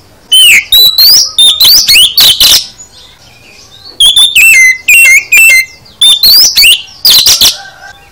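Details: Oriental magpie-robin in full song packed with varied fill-in phrases, meant to prompt other birds to respond: rapid runs of bright whistles, upslurred and downslurred notes and sharp chips in dense phrases, broken by brief silences.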